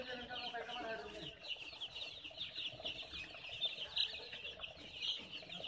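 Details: Baby chickens peeping: dense, continuous shrill cheeps from several chicks, with faint low murmur early on.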